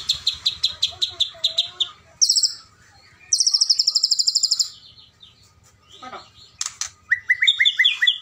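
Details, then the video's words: White-rumped shama (Medan type) calling to provoke a rival: bursts of high, dry rattling chatter, about five notes a second, then a rising whistle and a run of short whistled notes. "keretekan burung murai ini memanggil lawan bikin lawan emosi"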